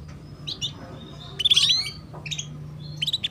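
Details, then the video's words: Female canary cuit-cuit chirps intended to get young canaries singing fast: soft high chirps, then a loud buzzy trill in the middle, followed by scattered short tweets over a low hum. "PANCINGAN Kenari BETINA Cuit Cuit || Masteran Kenari Paud Agar Cepat Bunyi"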